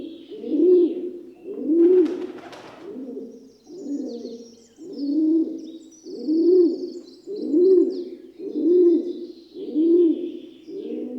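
A rock dove gives low, throaty coos, about one each second, in a steady run of ten. Faint high chirps and a brief flutter are heard behind.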